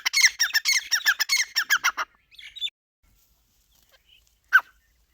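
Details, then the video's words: Grey francolin giving a rapid run of loud, harsh, descending notes for about two seconds, then a few faint notes, near silence and one last sharp note. "Dakhni Teetar ke awaaz | teetar voice | teetar sound | Teetar boli"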